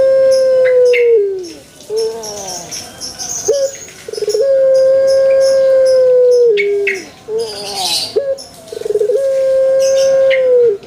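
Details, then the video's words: Male Barbary dove giving drawn-out level coos that sag in pitch at their ends, roughly three long calls with short stuttering notes between them, over a hissy background. "SUARA ASLI BURUNG PUTER JANTAN"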